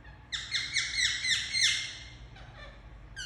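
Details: Indian ringneck parakeet kept as a pet, chirping very loudly in a quick series of about seven shrill, downslurred screeches, fading into a soft tail.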